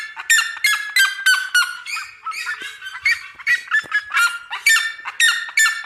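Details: Red-legged seriema singing in rural countryside, a continuous series of loud, harsh yelping notes repeated roughly three times a second, steady and barking, with a brief softer stretch midway.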